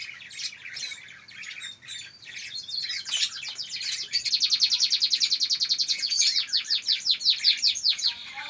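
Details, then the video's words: One-month-old local canary chick singing loudly: scratchy high notes followed by a long rapid rhythmic trill of repeated notes, with little background noise. "Anakan Kenari Umur 1 Bulan"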